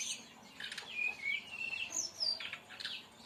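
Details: Song of a brown-chested jungle flycatcher in tembakan style for training birds: brief buzzy notes leading into level and gently falling clear whistles, then a high sliding whistle and scattered chips.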